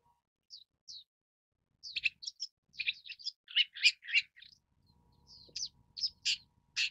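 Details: Long-tailed shrike (Lanius schach) giving two soft high notes, then a dense run of harsh, scratchy chattering bursts and squeaky chirps, loudest midway, ending with a few sharp notes after a short pause.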